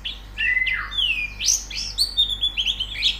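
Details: Short White-eye song played as a singing lesson: a lower, sliding whistle rises and falls, then gives way to quick high twittering notes that run together near the end.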